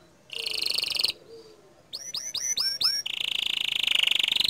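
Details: Green canary song with 'shot' notes said to provoke other canaries: a buzzy trill, a pause, five sharp rising-falling whistled notes, then a long rapid rolling trill.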